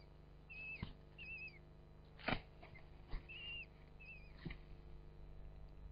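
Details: Common kestrel at its nest in a ventilation hole of a traditional field barn above Hubberholme, Langstrothdale, Yorkshire Dales; thin wavering whistled calls come in short runs, broken by louder thumps and rustles.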